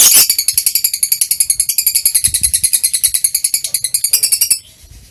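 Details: Lovebird chattering song recorded on 21 March 2023: a sustained, rapid, buzzy high twitter of repeated notes lasting over four seconds, then stopping abruptly.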